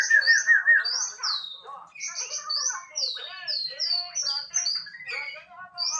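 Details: White-rumped shama, a male, singing a rich varied song: fast trilled phrases and sweeping high whistles, notes repeated in quick succession with some lower warbled elements, loud and clear throughout.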